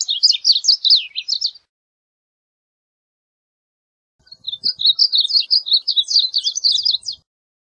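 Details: Varied bunting singing: two bursts of quick, high, warbled chirping notes, the first short, the second longer after a pause of about three seconds, with no other sounds.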